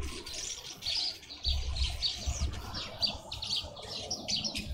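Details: Green wood hoopoes in a suburban garden in Pretoria, South Africa, give a harsh, high chattering that runs in overlapping bursts throughout, over a low rumble of wind or handling noise.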